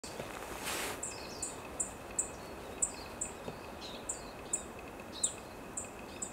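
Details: A Black-faced bunting in Chiba Prefecture, Japan, gives thin, very high single 'tsip' calls, repeated irregularly about twice a second, over a steady background hiss with one brief rustle.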